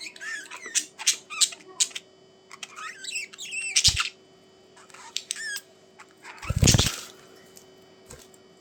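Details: Budgies chirping in short squeaky bursts and twisting warbles, broken by a couple of loud knocking thumps and quieter gaps in an indoor setting.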